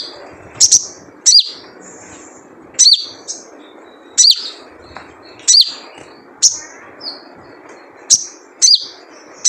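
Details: Wild crimson sunbird giving its typical 'jrejet cuit' call, used as a lure to get sunbirds singing: sharp, very high chirps with a quick downward flick, in bursts every one to one and a half seconds over a soft background hiss.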